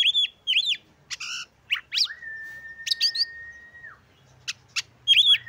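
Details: Oriental magpie-robin (kacer) singing a lively varied song, played to provoke other magpie-robins and stir their breeding urge; looping whistled notes, harsh buzzy bursts and a long steady flat whistle lasting nearly two seconds, with gaps between phrases.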